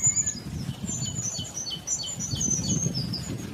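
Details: Black-throated bushtit calling: a flurry of sharp, very high-pitched tsit notes and quick downward slurs, irregular and overlapping as from a small group, with low rumble underneath.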